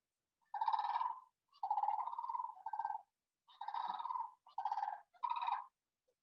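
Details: A Sandhill crane (Antigone canadensis) gives loud, rolling, throaty rattling calls: six burry bugles of about half a second each, spread over six seconds, with nothing else heard.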